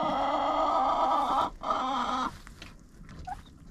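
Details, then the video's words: Chickens inside a coop, recorded by a GoPro placed among them: two drawn-out, buzzy harmonic calls lasting over a second each, separated by a short gap, then quieter scattered rustling and a faint higher note. "Hanging out with Chickens in a Coop"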